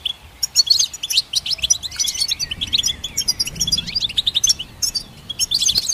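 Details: Rapid high twitter from a goldfinch, dense chirps and trills broken by a soft wavering buzzy phrase, then more quick tinkling notes to the end.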